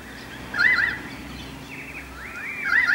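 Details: Currawongs (mountain magpies) chorusing in trees as a storm approaches, Cromer, Sydney: ringing, gurgling whistled phrases that rise and fall, repeated twice within three seconds over a low background rumble.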